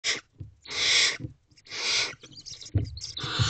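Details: Barn owl owlet in a nest box at 1:00 am, dated 5/1/23, calling to get the adult female's attention: broad hissing rasps of uneven length, with soft shuffling and low thumps between them.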